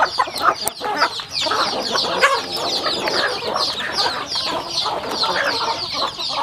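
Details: Home-raised rural chickens feeding together, giving a steady wash of shrill, overlapping peeps that slide downward, mixed with soft clicking pecks throughout.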